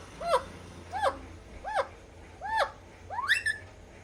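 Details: A pet Alexandrine parakeet, tasting ice cream for the first time, gives five loud rising-then-falling squawks about 0.7 seconds apart, the last harsher and more broken, in a quiet indoor room.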